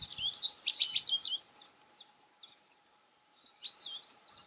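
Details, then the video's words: American goldfinch singing near window boxes where the birds eat cosmos seeds. A quick, high, warbled twittering phrase lasts about a second and a half, then a gap, then a short rising note group. "Chardonneret, chant / Goldfinch, song"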